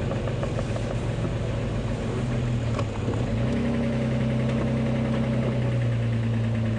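A safari vehicle's engine idles and revs with a steady low drone during a morning drive at Djuma and Arathusa on Jan 22, 2015; no animal calls are heard.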